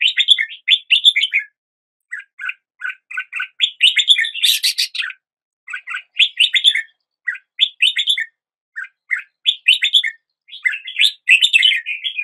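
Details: Red-whiskered bulbul singing in lively phrases of quick, chirpy whistled notes. Each bubbling burst lasts about a second, and the bursts are separated by short pauses. The recording is clean, with no other sounds.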